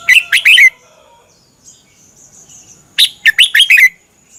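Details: Thai Red-whiskered bulbul, caged, sings a training and excitement song for caged birds: a bright four-note phrase, then after two seconds a faster run of five or six rolling chirps.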